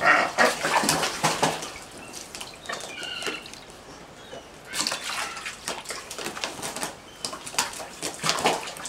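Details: Northern gannets, five birds being fed at a wildlife hospital after high winds, give harsh, grating, barking calls in bursts of several a second, pausing and restarting, with splashing water between.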